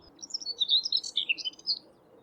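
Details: A Common Whitethroat beside a railway track at Thurrock Thameside Nature Park gives a fast, scratchy warble of jumbled chattering notes lasting under two seconds, over a faint low background hum.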